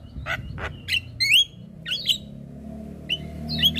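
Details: Javan myna song played to encourage young birds: scattered bright rising whistles and short harsh notes over a steady low background hum.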